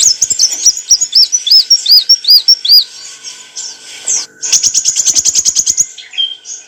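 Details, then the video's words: Olive-backed sunbird singing, used to train cage birds: a series of arched high whistles, then a rapid even trill of sharp repeated ticks lasting over a second. "kicauan burung kolibri wulung - suara jernih untuk masteran & pancingan"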